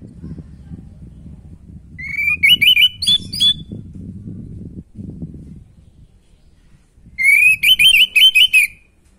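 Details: Orange-headed thrush song used to rouse a bird lacking breeding drive: two bursts of rapid, wavering whistled notes separated by several seconds of low background rumble.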